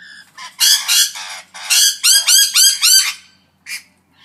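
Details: Parrots in noisy exchange: loud harsh squawks delivered in a rapid series of about eight bursts, several with rising-and-falling ringing tones, then a brief pause and one final short squawk.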